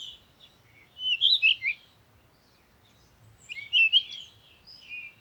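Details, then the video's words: Two short bursts of bright, jumbled, high chirping notes from a bird, separated by about two seconds of near silence. "Sound of the Birds"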